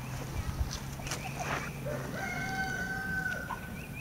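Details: Red Blue Wyandotte chickens, 2020 stock: a few short clucks, then a long level tonal call drawn out for nearly a second, with a low steady hum underneath.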